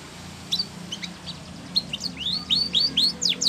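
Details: Spanish Timbrado canary song played for training canaries: scattered, fairly soft high chirps, then a quickening run of bright upslurred and downslurred notes near the end, over a faint low hum.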